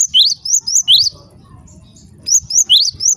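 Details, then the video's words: Java sparrow calls said to set other Java sparrows calling: two bursts of sharp, high chirps, each note sweeping upward, repeated about four times a second, with a quiet pause of roughly a second between bursts. "cukup DENGARKAN SUARA INI, gelatik lain LANGSUNG RIBUT"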